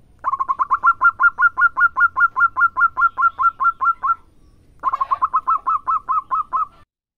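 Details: Local zebra dove in lively song: two bursts of quick staccato notes, the first of about twenty-two evenly spaced notes and the second of about twelve. The notes are clear, bright and slightly upslurred.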